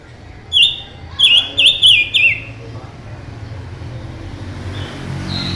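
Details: Silver-eared mesia, a mutant bird, in strong song: one whistled note, a pause, then a run of four rapid slurred, warbling whistles, then a faint high note against low rumbling background noise.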